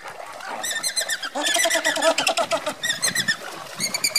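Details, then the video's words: Andean flamingos marching in a group give a dense chorus of nasal, honking calls with stacked overtones, rapid overlapping bursts rising and falling in loudness, several birds calling at once. "Andean flamingos marching"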